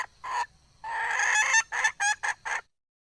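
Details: Harsh, ringing clucks from a wild junglefowl hen: two short notes, a long cackling burst, then four quick clucks before silence.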